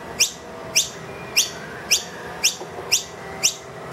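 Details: Insistent food calls of a wild noisy miner that led two young indoors, feeder emptied: short shrill rising chirps at intervals near half a second.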